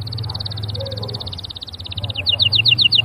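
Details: Canary giving a rapid high trill that shifts into a quicker series of paired ringing notes, over a steady low hum.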